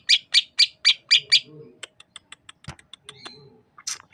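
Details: Greater green leafbird from Sukamade, Banyuwangi in East Java: six loud, evenly spaced harsh chip notes, then softer scattered ticks and a faint thin whistle, with low murmuring noise underneath.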